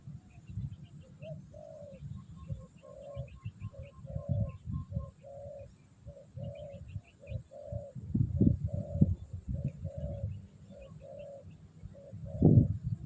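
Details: Spotted dove cooing while wild doves are lured; a long series of soft, short coos about every half second over a steady low rumble, with scattered rustling and thumps.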